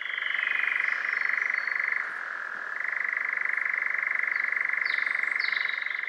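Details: A European nightjar churring, typical of pine forests: a dry, monotonous, mechanical trill that can last several minutes, running on without pause, shifting slightly in pitch midway, with a faint higher note near the end.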